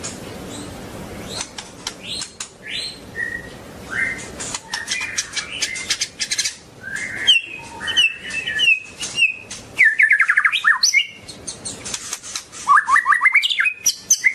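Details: Long-tailed White-rumped shama pouring out a fast medley of whistles, chattering trills and rising note series, with many sharp clicking and rustling sounds throughout.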